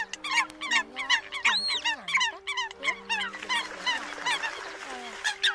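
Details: Eurasian coot calling to strays from the flock, used to lure migrating birds for night netting. Rapid, overlapping, clipped calls come in dense bursts, several per second, with gliding tones running beneath them.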